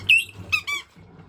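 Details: Pet white-bellied caique excited by a washing machine. A sharp high squeal followed by two quick harmonic squeaks, over faint low hum.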